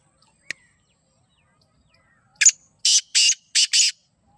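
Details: Black francolin (kala teetar) calling: a single sharp click, then four loud, harsh, grating bursts in quick succession over about a second and a half. The background is otherwise quiet.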